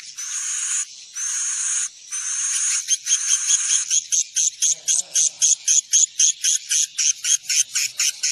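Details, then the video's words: Swiftlet lure call, played so swiftlets come to roost in a building; three long raspy buzzes, then a rapid run of short high chirps at about four per second. "Suara panggil burung wallet menginap"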